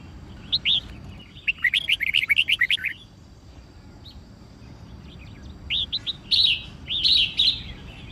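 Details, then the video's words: Red-whiskered bulbul, a trained bird, sings a fighting song: whistled notes near 0.5 seconds, a fast run of rapid chirpy phrases, a quiet gap, then clear rising and falling whistled phrases toward the end. "Chào Mào Hót Đấu"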